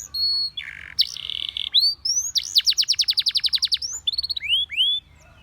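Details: Spanish Timbrado canary song for training canaries: a flat whistled tone, a low buzzy roll, then a rapid run of repeated bright notes ending in rising whistled slurs.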